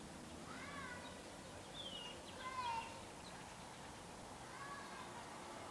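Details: Gambel's quail family in Gold Canyon, Arizona, in May, a hen gathering her chicks: faint curved, slurred calls with a rising-falling shape and a brief brighter downslurred note in the middle, over low background hiss.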